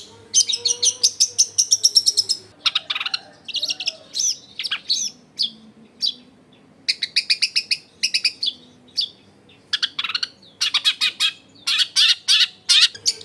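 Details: Long-tailed shrike singing nonstop as a lure to set other shrikes singing, recorded at home in a crowded neighbourhood: rapid bursts of high, dry chattering notes in quick trains, broken by short pauses, with a faint low hum beneath.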